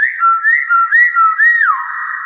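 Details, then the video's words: A pet Nias hill myna mimics speech in clear, whistled phrases of short rising and falling notes in a quiet room, saying greetings like "Assalamualaikum", "good morning" and "Pak Paw". "BEO NIAS SUARA ASLI"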